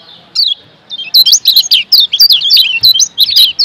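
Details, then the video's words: A kecial kuning, the Lombok yellow white-eye, on a training recording: a single thin note, then a steady stream of quick, high, sharply bending chirps packed closely together. "Masteran Kecial Kuning PENGGACOR Ampuh Merubah Kecial LEMOT Jadi NGOTOT"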